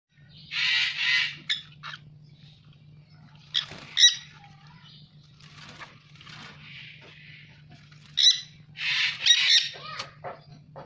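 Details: Captive dusky-headed conure (Aratinga weddellii) in Indonesia giving harsh, raspy screeches in a few scattered bursts, with a steady low electrical hum underneath.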